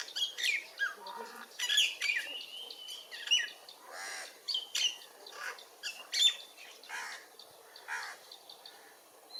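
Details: Myna giving rapid, scratchy chirps mixed with short whistled notes and a brief rising squeal, in uneven bursts with short pauses between them.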